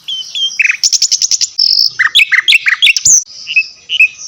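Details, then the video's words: High-pitched songbird phrases from a training recording that mixes Javan white-eye and mugimaki flycatcher: a clipped series of sharp ticks, a short steady whistle, then varied rising and falling chirps and slurred notes, fading into soft twitters. "Masteran Cililin vs Sikatan Londo Gacor"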